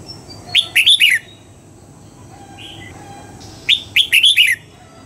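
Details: Red-whiskered bulbul being trained to sing at dawn, with two quick phrases of four or five ringing whistled notes that fall in pitch, separated by a brief soft note and a faint, steady lower tone.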